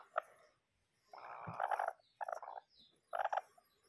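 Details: Bantam chicken giving three loud, harsh, nasal squawking bursts, each under a second, separated by short silent gaps, in a quiet setting.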